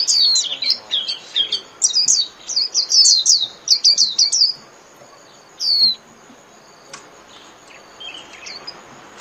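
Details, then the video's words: Warbling white-eye (khuyên) song: rapid, high twittering of thin slurred notes in quick bursts, then a pause with scattered single chips, a fine "líu" song. "TIẾNG CHIM KHUYÊN LÍU CỰC CHẤT"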